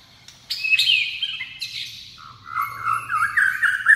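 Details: White-rumped shama singing a rich, varied song: sharp whistled notes around the first second, then a warbling, run-on phrase of rising and falling fluty notes, loud and close throughout.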